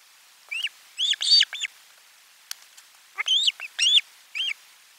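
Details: Osprey at nest camera four during a lunch fish delivery, 12 July 2022: two series of loud, squealing chirps, each made of several quick, high notes, separated by a short quiet gap.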